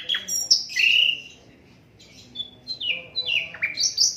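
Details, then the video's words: Asian brown flycatcher song, unedited, offered as tutor material for training other songbirds: varied high whistled phrases with sharp falling slurs and sweeping notes, a pause midway, then quick chirped notes rising again. "Sikatan londo durasi 15 menit, Reall No editan, cocok buat masteran semua burung"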